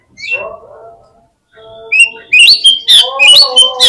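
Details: Oriental magpie-robin lure song for prompting fast replies and tail display: a soft downslurred note and hum, a pause, then loud tumbling whistles and sharp chips against a low tonal drone.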